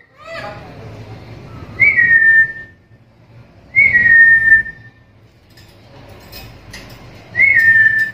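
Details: Calling black-capped lory. Three clear whistled notes each slide slightly downward and trail off, spaced a few seconds apart. Low background chatter and room noise run underneath.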